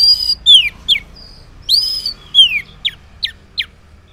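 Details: Orange-headed thrush morning song, played as a lure to draw answers from silent males: loud clear whistled phrases that slide downward, then short sharp notes repeated about every third of a second, with little background noise.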